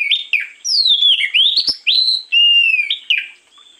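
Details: Morning lure song of an oriental magpie-robin (kacer): strong, varied whistles run almost without pause, with swooping descending slides, sharp rising notes and a long level whistle, delivered loud and clean.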